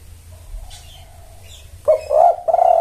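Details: Spotted dove cooing as a lure to attract males: after a second of faint twittering from small birds, a short burst of mellow, wavering coo notes rises and falls near the end.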